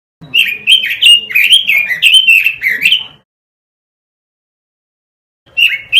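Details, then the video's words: Master lure of robin song for caged birds: a fast three-second run of sweet slurred whistles, then silence, then the song starting again. "Masteran suara burung ROBIN"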